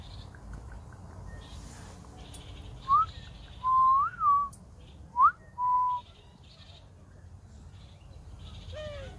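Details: Grey diamond dove giving soft, pure whistled coos, twice a short rising note followed by a longer, steady or slightly arched tone, with quiet pauses between and a low indoor hum behind.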